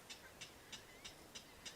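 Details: Clapper rail in a salt marsh giving six dry, clacking kek notes, evenly spaced at about three per second, over a soft background hiss.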